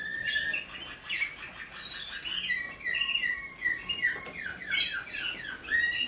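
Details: Waterslager canaries, each isolated in its own cage in a Waterslager-only breeding room so young birds learn song from parents, sing and chirp with bright overlapping twitters and short rising and falling phrases, several at once.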